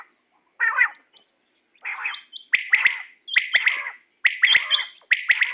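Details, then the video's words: A female quail gives harsh, raspy, gargling bursts roughly once a second with sharp clicking notes between them; the call is used as a lure for quail hunting. "BEST SOUND FOR QUAIL"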